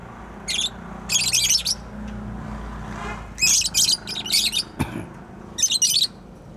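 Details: Pet bird calling in repeated harsh, high-pitched chirping bursts, about seven scratchy rasping phrases in quick clusters with short pauses between, over a steady low hum and a faint sharp knock.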